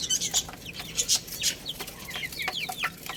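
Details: Little chicks chirping as they play and feed: a busy chorus of brief, bright, descending cheeps, several overlapping and repeated rapidly throughout.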